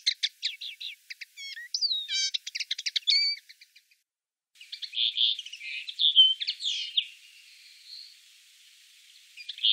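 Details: Common linnet encountered in the town of Wittlich, singing a fast, varied twittering of short chirps, trills and slurred notes in bursts, with a brief pause before resuming in a softer, buzzier warble.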